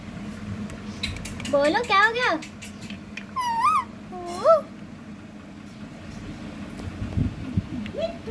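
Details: Indoor ringneck parrot speaking in bursts of wavering, voice-like squeaky syllables that rise and dip, separated by pauses, with a final short rising squeak and low room noise.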